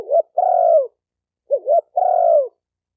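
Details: Spotted dove cooing used to train captive birds. A long, steady coo that droops at the end follows a pair of quick hooked notes, repeated about every one and a half seconds. No other sounds.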